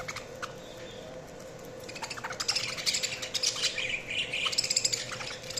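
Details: Budgerigars chirping: dense, fast chattering and warbling chirps building from the second second onward, layered over a steady low hum and hiss.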